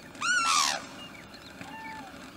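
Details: Sarus crane (Antigone antigone) calling on a foggy winter morning near Udaipur, Rajasthan, India: one loud, ringing trumpet note sliding slightly down, then a fainter, lower drawn-out note against a quiet background.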